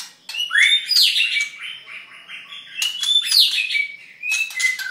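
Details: White-rumped shama halfway through its molt singing, likely caged and indoors; rich varied phrases of whistled sweeps, rising and falling notes and rapid trills, high and bright, with short pauses between bursts.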